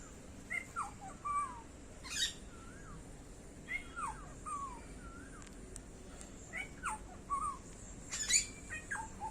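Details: Black-hooded oriole calling with clear, fluty whistles in short slurred phrases, interspersed with brief harsh bursts, against a hissing background.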